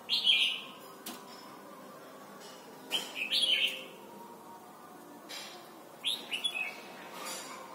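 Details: Song of a Red-whiskered bulbul from Thailand, used to teach young birds: three short, rich warbled phrases, each a quick run of whistled notes, separated by pauses of several seconds.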